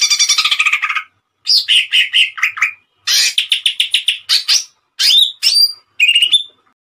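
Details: Bursts of rapid chattering trills, separated by brief pauses, from a greater green leafbird in full tembakan song. Sharp rising whistled notes close the sequence.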